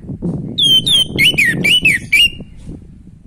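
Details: Orange-headed thrush in full natural song, used to spark breeding drive in another kept bird. Rapid sequence of bright whistled notes, first descending slurs, then quick wavering twisted phrases, over a low background hum.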